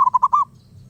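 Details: A wild zebra dove gives a brief rapid phrase of four clipped cooing notes, ending in one longer drawn-out coo, before falling quiet over a low rumbling background.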